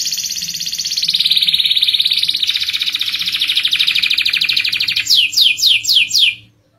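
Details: Canary delivering a long unbroken roll, used to prompt other canaries to sing: a dense, rapid trill holding steady for about five seconds, then four loud falling whistled notes to finish.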